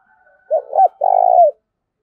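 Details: Spotted dove cooing to provoke fighting, used as a decoy: a short wavering note, then a longer buzzy, even coo that slides down at its end, over a silent background.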